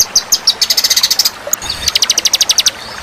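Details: White-rumped shama, a competition songbird, mixed with other fighter birds for training: rapid bursts of sharp, high ticking notes in fast series, a short pause, then another quick run of bright, clipped chirps.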